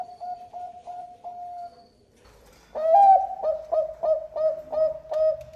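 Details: Bangkok-type zebra dove in full song: soft repeated hooked coos, then a louder run of quick, evenly spaced, bubbling coo notes with a faint background hum.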